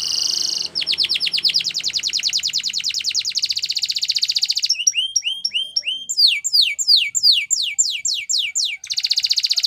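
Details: Spanish Timbrado canary training song, loud and clean: steady fast trill of short notes, then hooked upward slurs and a series of sharp descending sweeps, closing on a high rolling trill.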